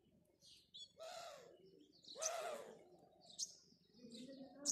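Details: A house sparrow, recorded in the morning, gives two harsh, broad chirps about a second apart, then a few thin, high notes over a low background rumble.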